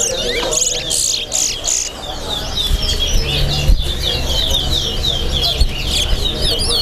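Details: Chestnut-bellied seed finches (towa towa) at a singing competition at Lusignan, Guyana, sing rapid, high, sweet warbled phrases almost continuously, with low crowd murmur and voices underneath.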